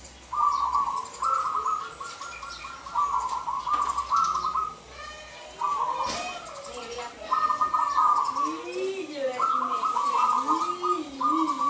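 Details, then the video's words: Local zebra dove singing vigorously from a perch to lure males: repeated rolling trilled coo phrases at a steady mid pitch, interrupted by a sharp click, with lower wavering calls and soft voices in the background. "perkutut lokal gacor !! perkutut gacor manggung memanggil jantan pikat ampuh"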